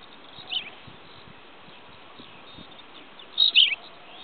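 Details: Tawny pipit slow song recorded 5 June 2010: a single brief, high chirped note, then after about three seconds a sharper double phrase, over quiet background hiss.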